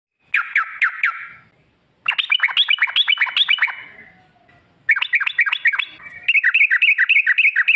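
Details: Yellow-vented bulbul lure recording in the long rolling 'ropel panjang' style, used to make caged bulbuls sing: bursts of rapid, rhythmic chirping trills, bright and mid-pitched, separated by short pauses, the last burst a steady ringing series.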